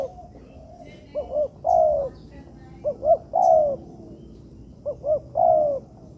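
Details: Spotted dove in a man-made training yard. Three phrases, each of two quick soft coos and one longer mellow note, spaced about two seconds apart, with faint bird chirps overhead.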